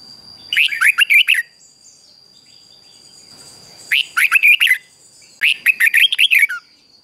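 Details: Morning song of a red-whiskered bulbul, used to train other bulbuls and spark quiet ones into voice: three lively bursts of fast, jerky, rising and falling notes, each under a second, separated by near silence and a thin steady whine.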